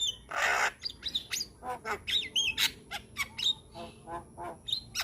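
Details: Young Javan myna (jalak kebo) in energetic song with many borrowed phrases; opens with a loud harsh rasping squawk, then chattering clicks and short whistled upslurs, spaced irregularly.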